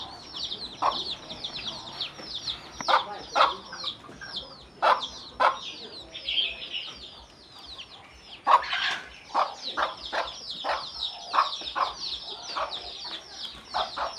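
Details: A hen calls her chicks to eat with scattered low clucks that come in small clusters. Dense, high, falling peeps of many chicks dominate between them.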